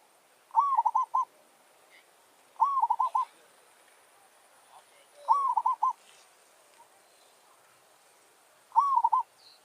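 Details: Zebra dove from a village, singing to challenge wild doves answering a lure: four bubbling, stuttered coo phrases, each a rising note followed by quick rolling pulses, spaced roughly two to three seconds apart.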